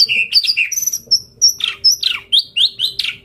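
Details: White-rumped shama, a caged murai batu, in full varied song: rapid whistled and chattering phrases, some falling sharply, others short rising notes repeated in quick succession, with very high thin notes above.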